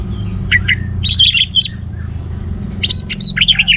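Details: Orange-headed thrush singing vigorously to encourage other birds to sing; short high squeaky and warbled phrases, a pause, then a burst of fast sharp notes, with a faint low hum behind.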